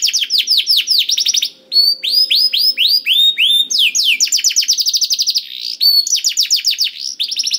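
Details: Canary song played to prompt a quiet, reluctant canary to sing nonstop: fast rolling trills of downward-sweeping whistled notes, series shifting in pitch and speed, with a brief pause near two seconds.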